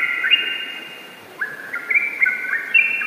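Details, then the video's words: A yellow-vented bulbul sings a long, rapid run of bubbly, liquid whistled notes, steady in middle pitch with quick upward flicks, several per second. "Trucukan Ropel Gacor"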